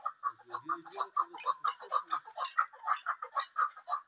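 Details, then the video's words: Female chukar partridge (chakor), kept as a fighter bird, calling: a rapid, steady series of short, harsh clucking notes about twice per second throughout, with a faint low murmur in the first second. "fighter chakor keklik sesi 1 female"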